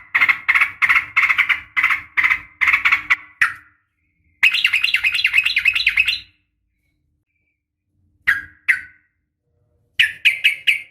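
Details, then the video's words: Female sooty-headed bulbul calling to males in the morning: bursts of rapid, bright chattering notes run together in rolling series, cut by abrupt silent gaps, then short clipped chirps and a final fast chatter. "suara panggilan pagi bikin emosi , semua burung trucuk terpancing ikut bunyi gacor dan ropel panjang"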